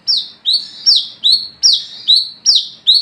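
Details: Olive-backed sunbird (kolibri kelapa) singing at night as a calling lure: repeated high, sharp descending notes with a buzzy held tail, paired in a strong alternating rhythm, nearly every 0.4 seconds.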